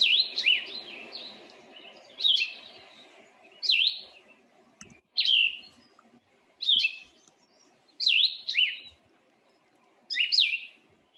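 Cassin's Vireo singing short, burry, high phrases separated by brief pauses, like a bird talking to itself; a low hum runs underneath.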